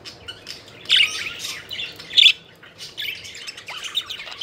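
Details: Playful budgerigars, their chatter broken into separate harsh squawky chirps with two louder shrill notes standing out, then softer warbling toward the end.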